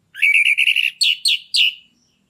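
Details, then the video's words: Orange-headed thrush kept in a cage, singing strongly as a prompt for another bird to start singing and come into breeding condition; a fast even series of seven short whistled notes, then three louder descending slurred phrases. "PANCINGAN ANIS MERAH YANG MACET BIAR CEPAT NAIK BIRAHINYA🔥ANIS MERAH GACOR NGEPLONG"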